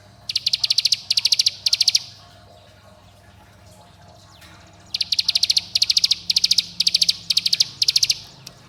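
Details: Bar-winged prinia lure call, meant to get young birds singing, summoning companions and angering rivals. Three rapid bursts of high, ticking notes, a pause of about three seconds, then six more bursts in steady rhythm.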